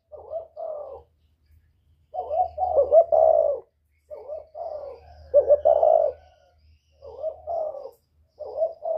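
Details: Spotted dove of the northern style with a whistle voice, a lure for wild birds, cooing repeatedly: clustered soft hoots and longer throaty coos come in bursts, several phrases over nine seconds with brief gaps.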